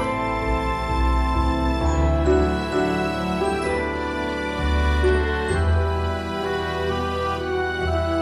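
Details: Soft sustained instrumental music with held chords and a gentle bass line, and no animal sounds.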